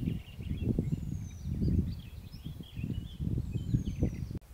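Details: Eurasian penduline tit calling by the Valchico stream near Madrid, Spain, 15 May 2021. Two long, thin whistles slide downward, one near the start and one near the end. Loud low rumbling wind noise runs throughout.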